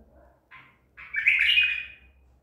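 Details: White-eared bulbul of the Baghdadi tur kind, caught at Medical City, 14 April 2021: a short lead-in note, then a loud, rich, rolling warble about a second long, with a low hum beneath.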